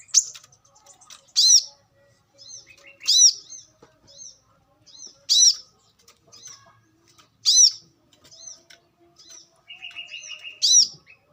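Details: Brown-throated sunbird in the wild repeating loud, harsh, arched high notes roughly every two seconds, with softer high chirps between them and a brief lower buzzy rattle near the end.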